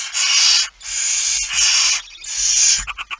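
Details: Barn owl with a mouse in Friesland, Netherlands, September 2019: long, continuous rasping hisses running almost back to back, ending in a few short choppy bursts.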